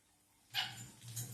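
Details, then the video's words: Patagonian conure, a pet parrot, sneezing: one sharp, hissy burst of breath that fades quickly into a faint, low room hum. "(Patagonian conure) sneeze"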